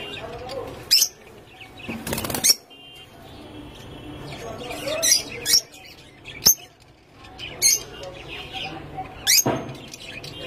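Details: Lovebirds on a breeding farm give sharp, shrill shrieks and chirps amid bursts of fluttering wings.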